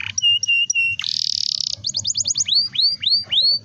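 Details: Long rolling canary song meant to coax young or lazy canaries into singing: steady whistled notes, a dense buzzing trill, then quick repeated upward-curving sweeps, clear and loud throughout.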